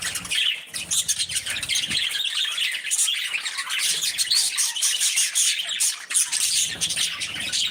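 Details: Budgies (with parrots) chatter busily, a dense overlapping stream of high warbles, chirps and squawks.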